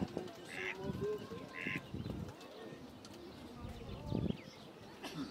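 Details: Mallard (Anas platyrhynchos) calling at Zbiljsko jezero (Lake Zbilje), 5 May 2024: a few short, harsh nasal notes about a second apart, over a steady low background murmur with faint other voices.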